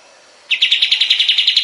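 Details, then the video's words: Kapas tembak bulbul song recorded as a master for training other songbirds: a brisk, even series of about a dozen sharp chirping notes, repeated roughly every tenth of a second, starting abruptly after a quiet pause. "Masteran burung kapas tembak"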